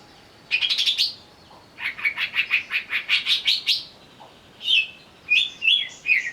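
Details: Lure recording to make a greater green leafbird sing while agitated. A fast rattling burst leads into a longer train of about ten throbbing, buzzy notes, then three loud clear whistled phrases.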